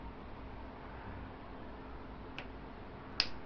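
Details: Only a steady low hiss of room noise with a couple of faint clicks, and no animal voice.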